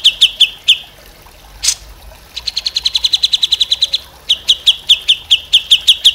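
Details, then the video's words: Grey-cheeked Bulbul gives rapid, high, sharp chipping notes in quick runs, with a single louder note before one fast even trill near the middle; a training recording for other songbirds to copy. "MASTERAN CUCAK JENGGOT"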